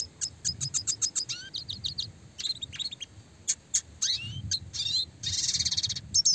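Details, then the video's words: Red siskin chirping, classic clear song for songbird training: quick series of high chirps, descending slurred whistles, then a fast buzzy roll and rattling trill, delivered in energetic bursts. "masteran burcil‼️red siskin gacor suara jernih roll tembak speed rapat untuk burung fighter"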